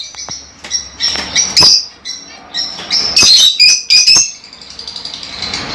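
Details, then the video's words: Small African lovebirds kept as pets, calling in rapid irregular high squeaks and shrill chirps, clustered in bursts about four a second, then trailing into softer chatter. "LoveBirds Sounds For 30 minutes"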